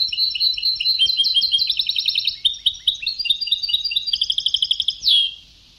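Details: European goldfinch, Sebtaoui song from an old recording: a long high twittering stream of fast chirps and trills that grows more evenly rhythmic near the end and closes on one loud descending note.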